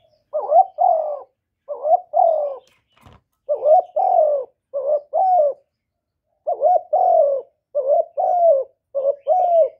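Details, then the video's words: Spotted dove, a kept bird recorded without background noise, calling and cooing to stimulate other males: repeated low hollow coos in short paired bursts, groups separated by pauses of a second or more, in clean quiet surroundings. "Cu gáy Hạp Bổi Gáy Gọi + Gù + Thúc + kèm kích bổi, chim cu đất gáy, cu cườm gáy, tiếng chim cu"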